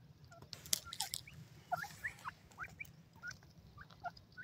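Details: Female Indian francolin calling: short hooked chirping notes, rising then dipping, given in a loose irregular series after a few sharp clicks, over a low rumbling background.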